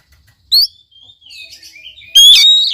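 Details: Oriental magpie-robin song meant to get a silent bird singing: a sharp upslurred whistle, soft wavering warble, then a loud rich buzzy phrase.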